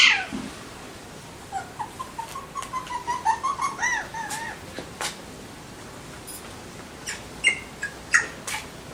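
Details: Alexandrine parrots giving a string of short, tonal, slightly rising calls that build into a quick chattering run, with scattered sharp clicks and a few harsher notes near the end.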